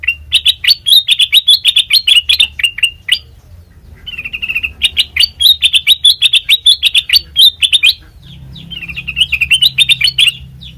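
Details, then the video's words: Sooty-headed bulbul singing sweetly, used as a lure for training birds: three bursts of rapid chirping phrases with clicking ticks, separated by a softer whistled passage and a brief gap, low hum beneath. "Suara Burung Kutilang Mas Sanget Merdu"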